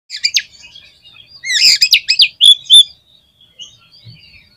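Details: Oriental magpie-robin in full, lively gacor song, used to test and fire up other magpie-robins: bright, loud warbled and whistled phrases with sharp rising notes in a burst of about a second and a half, then softer chatter.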